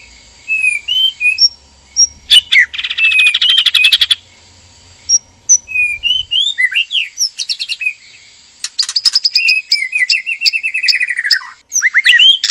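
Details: Mating call of a caged white-rumped shama pair, male and female: scattered whistles, long buzzy rattles, then a fast series of repeated descending notes and sweeping whistles.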